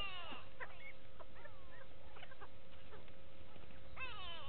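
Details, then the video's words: Go-away birds at a waterhole in Djuma Game Reserve, Sabi Sand, South Africa, 6 June 2018: a falling nasal call opens and another closes, with faint scattered clicks and chirps between against a low hum. "Go-away birds with audio"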